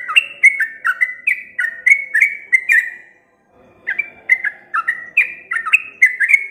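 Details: Sooty-headed bulbul in lively, long-running song: a rapid chain of short whistled notes, each slurring downward, delivered about three per second with a brief pause midway before resuming; a faint low hum underneath.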